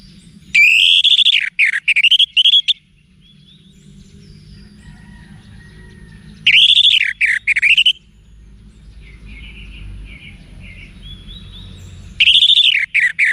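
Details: Orange-headed thrush singing wiksar song to spur caged birds: three loud bursts of rich, swooping whistled phrases with strong overtones, roughly every five seconds, with faint softer twitters between.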